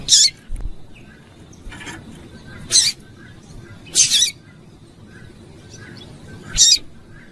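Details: Female double-collared seedeater calling to stir a male into singing: four short, sharp, high peeps spaced irregularly a second or more apart, over a low steady background hiss.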